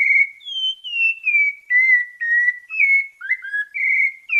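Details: Sabiá parda thrush from Bahia, Brazil, singing a melodious song in the santa fé style: clear whistled notes, gently descending slurs, about two per second, with short breaks between phrases and a clean, quiet background.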